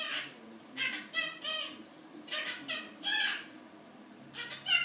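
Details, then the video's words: Male Quaker parrot kept as a pet copies its owner's grumbling about work, learned untaught from listening to people; clusters of two or three gravelly, speech-like syllables separated by quiet gaps. "Quaker Parrot.. AKA little recorder!!"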